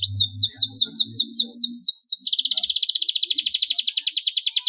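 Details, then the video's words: Caged canary singing a long roll, played to coax lazy canaries into song: high sweeping whistled notes repeated rapidly, then a fast, even, continuous trill sustained for over two seconds, with a low humming noise early on. "KENARI GACOR NGEROLL PANJANG TERAPI JITU BUAT KENARI MALAS BUNYI"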